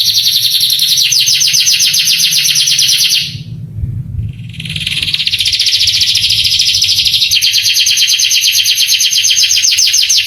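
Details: Canary training song meant to provoke young male canaries: a dense, fast, buzzy trill of rapid repeated notes, a brief pause near the middle, then the trill resumes steadily to the end.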